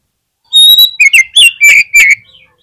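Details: Oriental magpie-robin in full, actively delivered song used as a lure to prompt other magpie-robins to sing: a long high whistle, then loud sweet notes and slurred whistles in a rapid burst, clean background.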